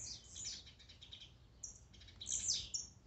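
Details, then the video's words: Dense, overlapping high buzzes and chattering Blue-black grassquit notes, a fast stuttered run followed by a bright downslurred buzz near the end. "Melhor esquente de tiziu,cantos e macheados para enlouquecer sua ave."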